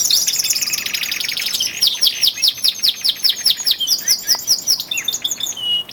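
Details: Twelve male canaries in early February, picking up singing intensity ahead of spring; a fast buzzy trill gives way to a steady run of rolling downswept notes, about two per second, with other birds chirping above.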